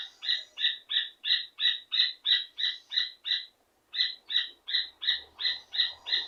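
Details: Rufous hornero singing and calling to a female: loud, evenly spaced ringing notes, about three per second, run in a steady series, break briefly near four seconds, then resume at the same pace.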